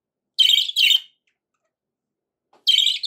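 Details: Happy pet budgerigar uttering a quick pair of raspy chirps, then a pause and another rasping chirp.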